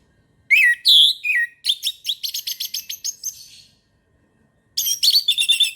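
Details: Morning song of an orange-headed thrush, a varied rich phrase of whistled slurs followed by a fast chattering series of sharp notes, then another bright whistled burst after a short pause.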